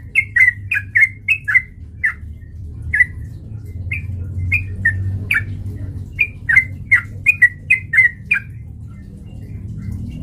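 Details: Sooty-headed bulbul song as a lure to provoke fighting, bright short whistled notes delivered in quick clusters with brief pauses, over a constant low hum.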